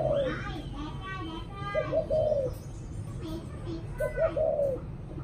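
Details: Spotted dove giving soft, low hooting coos in short phrases about every two seconds in the evening, with faint chirps and background murmur.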